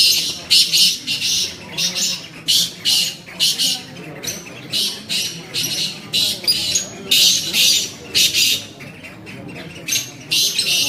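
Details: Black francolin (kala tetar) kept in the UK, giving loud harsh rasping bursts in rapid clusters of several notes with short pauses between groups; faint low voices murmur underneath.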